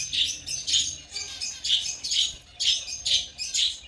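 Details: African lovebirds producing a steady string of shrill, grating chirps, roughly one a second, some in close pairs, with little background noise.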